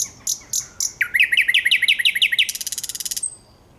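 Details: A thrush nightingale, recorded on 9 August 2022, sings a single phrase: four thin high notes, then a quick run of rich, slurred notes, ending in a dry, rattling trill.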